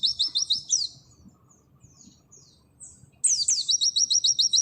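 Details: Oriental white-eye in nembak style, a long continuous trill, recorded as tutor material. Two bursts of fast, evenly repeated high downslurred notes open with sharp descending whistles, separated by a quiet gap with faint chirps.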